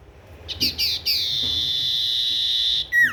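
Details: Tailorbird song of several short high buzzy notes followed by a long sustained shrill note, ending with a sharply falling whistled note.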